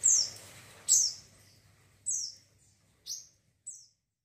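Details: Chattering wiceh bird for training other birds: five crisp, very high down-slurred chirps, the first two loudest, repeated roughly every second and fading toward the end in a quiet setting.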